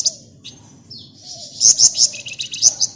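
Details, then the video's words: Flamboyan bird in lively 'gacor ngebren rapat nyerecet' song used as a lure for other birds: shrill, very high chattering bursts and thin whistles, louder rapid trilled notes clustered in the second half. "Burung Flamboyan Gacor Ngebren Rapat Nyerecet Cocok buat Pancingan"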